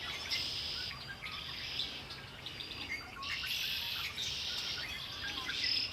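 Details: Several birds singing together by Lake Erie, their high buzzy trills swelling in bursts of a second or more, separated by short lulls, over a soft natural background.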